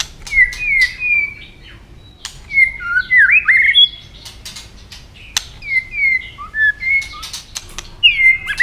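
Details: White-rumped shama, stimulated into fighting song with rapid clicking and tail flicking, delivers varied high clear whistles, rising and falling slurs and short warbled phrases, mixed with sharp dry clicks throughout, over faint background noise.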